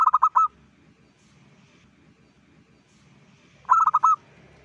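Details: Local zebra dove in active dawn song, two bursts of rapid stuttered cooing notes, about four each, separated by roughly three seconds of quiet low-pitched background murmur.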